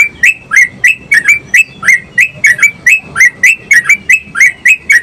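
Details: Yellow-vented bulbul singing energetically to prompt other bulbuls to sing: a steady stream of quick, liquid, gurgling notes, roughly seventeen in five seconds, each a short slurred up-and-down phrase, recorded loud and near.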